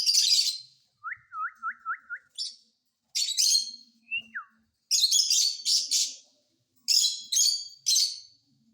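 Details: Caged rose-ringed parakeet: harsh, high screechy bursts, a run of five quick rising whistled notes, a single falling whistle, then more grating screeches in short groups.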